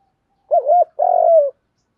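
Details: Lure spotted dove giving its coo to provoke wild birds: a single phrase, a loud wavering first note then a longer even buzzy coo sliding down at the end, against silence.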